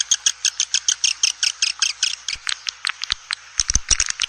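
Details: Swiftlet call played to lure swiftlets into a swiftlet house. Regular, sharp chirps repeat about four times a second, then break into scattered clicks and twitters.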